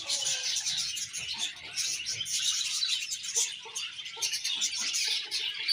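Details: Happy colony of budgerigars chirping together, a dense wash of high, scratchy chirps and warbles overlapping continuously, with a few brief lower notes underneath.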